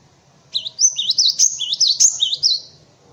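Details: Tutor song of a cinereous tit for white-eyes and other songbirds: a measured series of about eight high, wavering two-note phrases, sharp and ringing, over a faint low hum.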